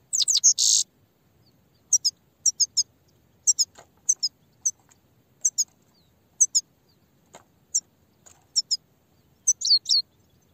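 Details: Grey-headed goldfinch song: an opening loud harsh buzzy burst, then clusters of short high twittering notes repeated in bouts of two to four, ending with a rising whistle.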